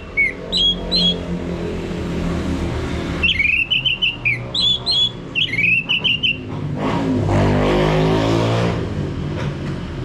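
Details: Ngeplong song of a male orange-headed thrush, a prompting recording: short clusters of high whistled notes, then a longer run of repeated whistles, followed by a broad rushing noise and low background rumble.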